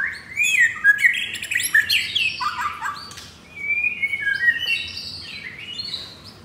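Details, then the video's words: White-rumped shama of the F4 blorok line, kept in a cage in Kemayoran, Jakarta, Indonesia: a dense jumble of fast whistles and harsh notes, then softer slurred whistled phrases fading off, with a faint steady hum. "Murai Batu F4 Blorok Materi Kasar"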